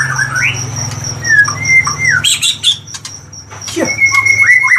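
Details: Oriental magpie-robin singing loud, varied whistles, with slurred upward and downward notes and sharp clicks, against a constant thin high tone and a low background hum.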